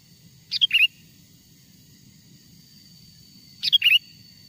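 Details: Sooty-headed bulbul calling song for trapping wild birds, two crisp whistled phrases three seconds apart, each a high piping note followed by a lower rolling twitter, with a steady faint hum behind.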